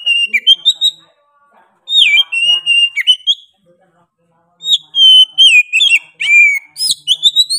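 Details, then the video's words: Oriental magpie-robin singing energetically in bursts separated by short silences; rich whistled notes slur downward and upward, mixed with harsh high chips and quick trills, each burst lasting about a second or two. "KACER GACOR NGOTOT PEDES SUARA NYA GA DA AMPOON"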